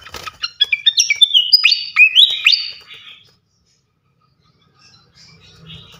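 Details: Flycatcher (local name srikatan kipas), a champion bird singing loudly as a masteran tutor recording: rapid, varied high whistles and chirps in quick bursts for about three seconds, then near silence with faint distant chirps.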